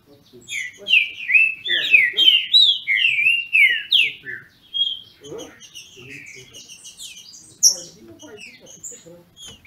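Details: Captive green-winged saltators (trinca-ferro) from a registered breeder in Brazil, dueling in song: rich, slurred whistled phrases rise and fall in quick succession for six seconds, then sparser, thinner high notes, with faint low indoor rustling.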